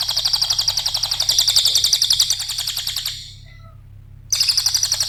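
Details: Cililin song used as a lure and training master for other cage birds: a long, dense, rapid chattering trill of sharp high notes in bursts. There is a pause near the end and a low steady hum underneath.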